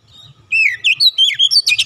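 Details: Brief burst from an untrained ('bahan') oriental magpie-robin singing vigorously, or 'gacor', as it joins in: a fast string of bright whistled notes, some falling and some rising, then a harsh buzzy note. A faint low hum runs beneath.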